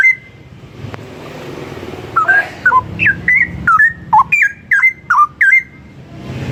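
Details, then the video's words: Straw-headed bulbul delivering melodious song meant as a tutor recording for other birds. Silence at first, then a lively series of sweet bending whistles, one after another at a brisk even pace, over faint background rumble. "Kicauan Cucak Rowo Merdu Bikin Hati Adem"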